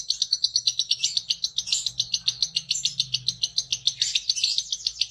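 A lovebird pours out a long, unbroken stream of shrill, high chirps, about five a second, forming a rapid chattering trill with no other sounds.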